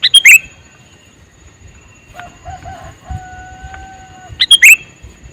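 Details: Male sooty-headed bulbul calling: a short burst of loud, harsh chirped notes opens the recording and another ends it, with faint steady tones and a quiet background between.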